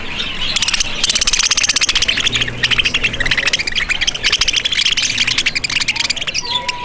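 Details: Hungry parakeets in a feeding area at an ostrich ranch beside Picacho Peak, Arizona, calling as visitors offer food on a stick; dense, continuous high chirping and squawking from many birds, with rapid repeated notes throughout.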